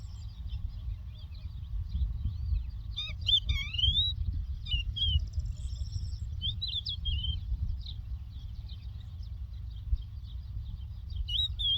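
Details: Lark song from the land of Doukkala: scattered thin, high chirps and quick upward-sweeping, looping whistles in short bursts, set against a constant low background rumble.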